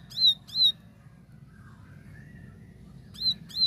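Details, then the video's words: Plain prinia singing in a clear 'tembakan' style: two short, sharp, clicking high notes, a quiet gap with faint lower warbles, then two more clicking notes at the end. "Tembakan Gacor Jernih Ciblek sawah"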